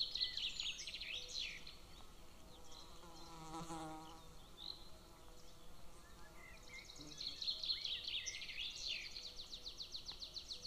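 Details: Young golden eagle calling at a nest watched by camera near a military training ground, 22 June 2024: thin, high, downward-slurred whining notes in rapid repeated series, fading midway then returning strongly, with a low humming sound briefly in the background.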